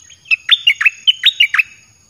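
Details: Red-whiskered bulbul, a caged bird whose song is used to call in wild birds, giving one quick phrase of about eight sharp, liquid whistled notes that swoop down and up in rapid succession.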